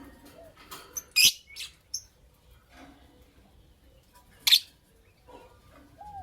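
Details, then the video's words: Lovebirds, a Creamino with a Lutino Opaline, chirping in the morning: a loud rasping chirp with small clicks around it, a quiet stretch, then one more harsh chirp and a short whistle. "Lovebird Chirping Sounds"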